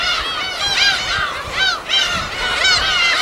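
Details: Gulls at a natural breeding site on an uninhabited West Sea island, recorded in the field: many overlapping arched, nasal mewing calls, several birds calling at once in quick succession.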